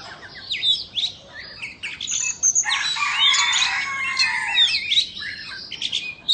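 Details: White-rumped shama of Indonesian origin singing as it dances and fans its tail: scattered sharp chips build into a fluent run of warbled whistles, looping slurs and fast high chatter.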